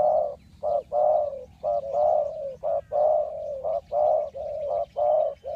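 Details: Spotted dove cooing to lure wild birds into a trap: low, hollow coos in a steady pattern, short notes alternating with longer drawn ones, about one phrase per second, with faint background hiss.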